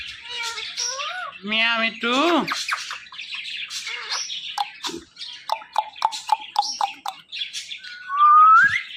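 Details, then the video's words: Indian ringneck parakeet talking: harsh squawks, rapid chirps and short speech-like harmonic phrases, ending with a rising whistle, with music in the background. "This Ringneck Parrot Talking Is Epic.!."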